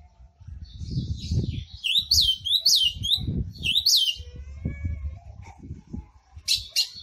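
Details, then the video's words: Ultramarine grosbeak, an owned singing bird, giving its short and fast song: a quick run of about five high, sharply swooping whistled notes in the middle of the recording, with low thumping and handling noise throughout and a brief high chirp at the end. "AZULÃO CANTO CURTO E RÁPIDO"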